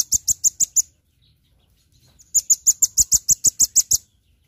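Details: Velvet-fronted nuthatch in full daily song on a tutor recording for songbirds: a short run of six piercing high chips, a quiet pause of over a second, then a longer, evenly paced burst of about thirteen sharp, ringing notes.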